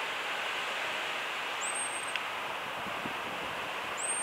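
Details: Common blackbird alarm call: two thin, very high whistles, each rising briefly then held level, about 2.4 seconds apart, over a steady broadband hiss of background noise.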